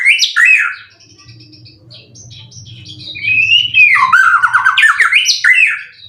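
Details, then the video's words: Competition-ready white-rumped shama, caged, its song material full of cililin; a sharp opening whistle, then a quieter stretch with a low background hum, building into a loud run of slurred, up-and-down warbled phrases. "Burung Murai prestasian udh kondisi 90% materi full clilin siap turun Lg!"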